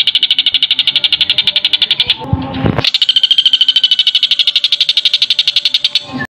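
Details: Male common flameback calling to a female: a long, fast, even rattling trill of sharp metallic notes, about eight per second, broken midway by a brief burst of rustling noise, then resuming steadily.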